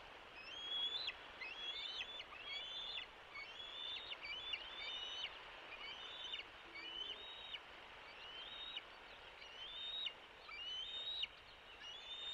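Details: Bald eagle eaglets at the West End nest on Catalina Island, California, 3 June 2024, where the older eaglet drives the youngest from the nest. Thin, high piping notes with sharp upward and downward inflections, given in uneven bursts about once a second, over steady background hiss.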